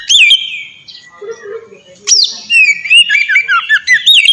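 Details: Oriental magpie-robin singing for use as a training master song: a long whistled note, a brief low warble, then a burst of quick varied whistles and chirps with steep rising and falling slides.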